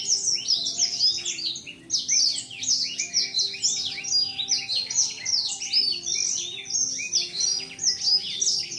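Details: Caged male blacksang of seven months opens its wings on seeing a female; long unbroken high-pitched twittering song of rapid chirps and swooping whistles in pulsing bursts, a soft hum behind.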